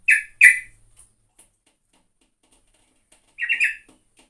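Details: Sooty-headed bulbul (trucukan) singing actively: two clipped bubbly notes at once, a long quiet gap, then a slurred warbling phrase near the end.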